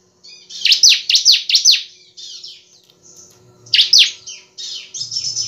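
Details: Energetic semi-crystal bar-winged prinia song: a quick run of three piercing, falling chirps, then thin buzzy trills and another pair of sharp chirps, with a faint low hum underneath.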